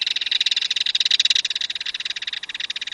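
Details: Belted kingfisher, a stocky crested fish-hunting bird of Wisconsin streams and lakes, giving a loud dry rattle: rapid harsh notes, about four per second, running steadily for three seconds without pause.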